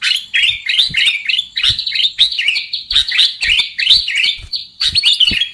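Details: Sooty-headed bulbul trapping lure call: loud, harsh, chattering chirps in quick bursts with brief pauses, backed by faint low knocks.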